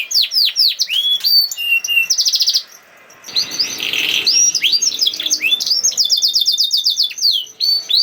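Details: Singing canary used as a lure so other canaries start singing: rapid high rolling trills, rising and falling whistled slurs and quick chirp series, with a short pause near three seconds and a harsher burst after, then fast trills resuming.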